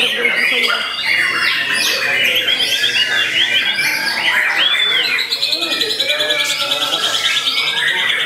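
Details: White-rumped shama, a young contest bird aged eight to nine months, singing nonstop: arched whistles, rapid trills and buzzy repeated notes layered into a rich, loud medley.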